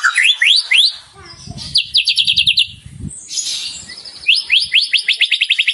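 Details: White-rumped shama in vigorous song displaying its repertoire: quick rising whistled slurs, bursts of rapid high ticking trills, then more rising sweeps in quick succession, with faint low thumps beneath.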